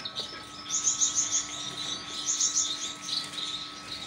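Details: A pair of rare-mutation finches: one gives thin, very high chirps and short trilled bursts, twice in four seconds, over a steady low electrical hum.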